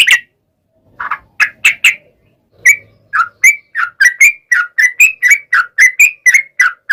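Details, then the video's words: Sooty-headed bulbul, a lively singer used as a lure to make other bulbuls sing. After a few scattered notes comes a steady run of short, clear, whistled two-part notes, several per second, without background noise. "SUARA trucukan gacor ROPEL PANJANG"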